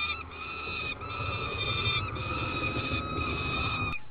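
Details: Peregrine falcon chicks on a nest platform in an oak, being fed by a parent, give a long, strained, whining begging cry, held almost without pause and briefly broken twice, over a low rumble of wind.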